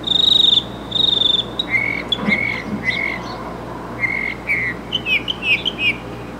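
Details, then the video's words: Mockingbird running through varied phrases. Two loud pure whistles come first, then a series of lower whistled notes, and it ends with quick warbling, wavering notes that rise and fall. A low hum sits underneath. "Mockingbird in Concert!"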